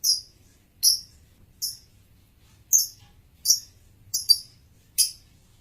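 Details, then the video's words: Male lovebird chirping: short, shrill, high chirps given singly or in quick pairs about once a second, with a faint low hum underneath. "kicau lovebird jantan"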